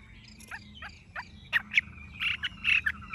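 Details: Caged tame Chinese hwamei with golden-yellow feathering: soft spaced downslurred notes give way to louder clipped whistles, over a low steady background rumble.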